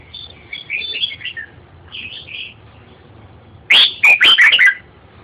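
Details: Red-whiskered bulbul giving soft warbled whistles in two short phrases, then a loud, rapid burst of rich, bubbling notes near the end.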